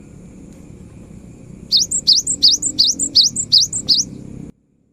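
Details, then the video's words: Cinereous tit in strong voice, recorded to stir non-singing birds into song: a run of seven clear, high two-note phrases, each dropping then climbing, evenly paced at about three per second, over a low rumble. "Suara GELATIK BATU GACOR"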